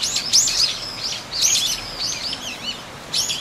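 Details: Eurasian teal on the pond at Kōkū Park on 19 January 2023; bright, high, bending whistles in three loose clusters, with added park ambience beneath.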